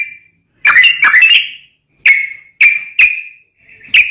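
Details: Sooty-headed bulbul, recording used as a lure for training bulbuls: a couple of quick double whistled chirps followed by several single clipped whistles spaced roughly half a second apart.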